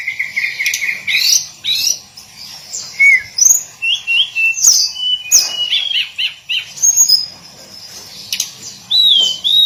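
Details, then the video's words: Daily song of a hill blue flycatcher, known locally as tledekan gunung: a long run of varied whistled notes, some steady, others sweeping up or down, delivered in quick phrases with short pauses. "Kicauan harian Tledekan gunung"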